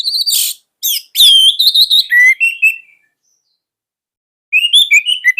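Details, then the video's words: Orange-headed thrush singing a fierce song used to tutor young spotted thrushes. Loud whistled phrases: sharp high notes, then a slurred falling whistle and buzzy trills. A pause of over a second follows before rapid chattering notes resume. "KICAUAN SANGAR ANIS MERAH"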